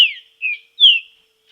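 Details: Three bright whistled notes from a green-winged saltator in training outdoors, each sliding slightly downward, the third the loudest.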